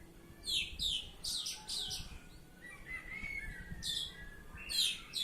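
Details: Ngeplong song from an Oriental magpie-robin: bursts of loud, sharp, falling chirps, a quieter stretch of soft warbled whistles in the middle, then more chirp bursts at the end.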